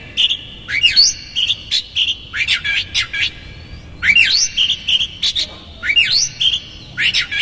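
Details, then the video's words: Oriental magpie-robin in full song, used to goad other magpie-robins: a steady whistled note followed by crossing up-and-down swoops, the phrase repeated roughly every two and a half seconds, with crisp ticks between. "PANCINGAN Kacer GACOR seketika Buka Ekor KONSLET bongkar ISIAN KASAR agar KACER emosi"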